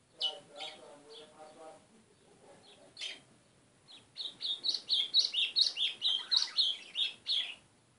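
White-throated seedeater singing a fast run of high, bright chirps, about sixteen notes in under four seconds, after a lower, buzzy burst and scattered twitters.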